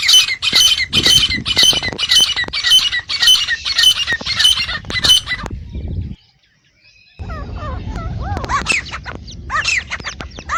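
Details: Iranian or Dhakni partridge, male or female, used to call and hunt partridges: rapid, regular harsh squawks for five seconds, a brief silence, then looser, varied rasping notes.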